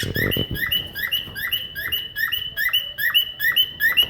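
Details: Cockatiel mimicking a car alarm with regular, repeated rising whistles, about eight per four seconds, each with an upward sweep; a brief low thumping noise at the start.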